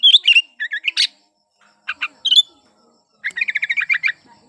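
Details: Sooty-headed bulbul in breeding condition, vigorous song played to stir silent birds to sing: loud slurred whistles and chirps in short clusters, then a rapid rolling series of bubbly notes.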